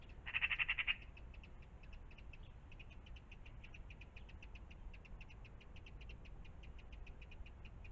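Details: Magpies in the morning in and around a pond: one harsh, rapid rattling chatter of about six clipped notes lasting under a second, followed by steady faint ticking calls and low background rumble.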